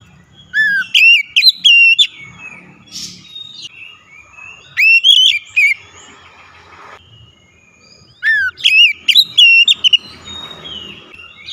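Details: Oriental magpie-robin loud song used as a lure to make a reluctant bird sing: three bursts of rich whistled phrases, each opening with a rising sweep then warbling notes, about every four seconds, with faint low rumble between.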